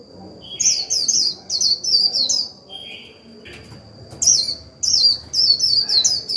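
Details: Japanese white-eye kept as a decoy, singing in the 'líu' style to trigger wild birds' song; two bursts of rapid, very high, falling twitters, broken by a pause with a lower husky note.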